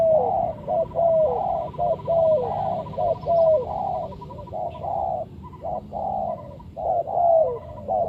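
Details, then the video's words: Spotted dove used to lure birds for trapping: steady run of rolling coo phrases with downslurred endings, about once a second, a faint steady tone and low hum behind. "Sound Of Spotted Dove is so good,Bẫy cu gáy bằng mồi trồn,เสียงนกเขาใหญ่,Suara Terkukur Pikat Tua"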